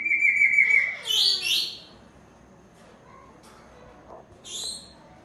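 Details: A breeding pair of grey parrots gives a loud steady whistle, then harsh squawks and a later sharp screech, with quieter calls between.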